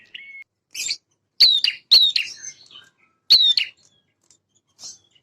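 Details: Lively male prinia singing to prompt young birds to answer: a short whistled note, then spaced, sharp, high chirps and clipped chattering bursts with brief silences between, against a quiet background.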